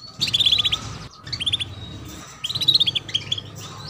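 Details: Female canary cuit-cuit chirping to get young canaries singing faster: two quick bursts of bright, closely spaced high chirps, each about a second long, with softer chirps between, over a low hum.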